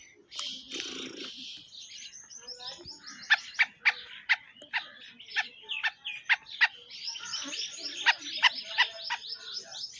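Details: Black francolin calling in July 2025: a series of sharp, grating notes repeated about every half second to second, over a steady wash of smaller bird chirps in the background.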